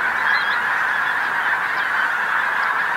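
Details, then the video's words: Pink-footed geese in a large flock on a field near the North Norfolk coast, England, at sunset; crowded chorus of clear high honking, some individual calls audible above the mass of voices. "Pink-footed Geese North Norfolk"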